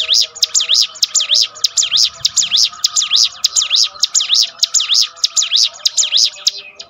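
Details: Bar-winged prinia training song to lift a bird that has lost its spirit: long, even series of sharp, high V-shaped notes repeated about twice a second.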